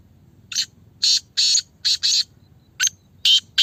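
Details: Speeder black francolin repeating its call: grating, buzzy notes in short clusters, two close pairs, then a single note and two more loud rasps, with a faint steady low hum behind.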